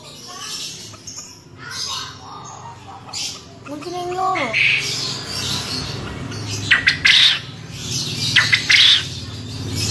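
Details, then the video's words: Male contest quail giving its ceketer call, described as a champion: short harsh bursts near the end, with human voices and a low rumble of background noise. "SUARA GRANDONG, PUYUH JANTAN JUARA CEKETERNYA MANTAP"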